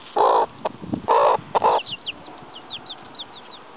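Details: Seven chicks out in the yard with their mother: a few loud muffled bursts at the start, then a scatter of high, thin, downward chick peeps over steady background noise.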